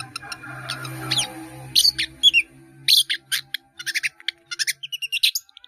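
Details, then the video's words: Long-tailed shrike singing actively, rich in mimicked phrases, a recording meant for training caged birds: after a faint low hum come bright rising and falling whistles, sharp clipped chips and short trills in quick varied sequence. "CENDET GACOR ISIAN BANYAK"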